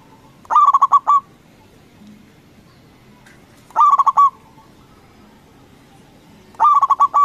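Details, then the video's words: Local Indonesian zebra dove with a loud voice, used as a lure to provoke rival doves into answering. Three bursts about three seconds apart, each a quick stutter of five or six hollow, mid-pitched coo notes ending in a drawn-out final note. "Perkutut lokal Gacor Suara BESAR bikin Cepat Emosi Lawan Auto Nyaut Seketika"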